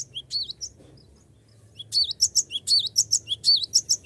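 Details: Singing cinereous tit, recorded as a lure to make rivals sing along: a few scattered high notes, a short silence, then a brisk, steady series of sharp, ringing chirps paired with curling lower slurs.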